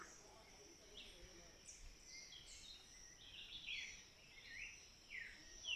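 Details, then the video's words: Birds of the Sierra Nevada: scattered short, thin chirps and downward-slurred notes at high pitch come at irregular intervals. A steady high-pitched hiss and faint background noise run throughout. "El sonido de las aves de la Sierra Nevada"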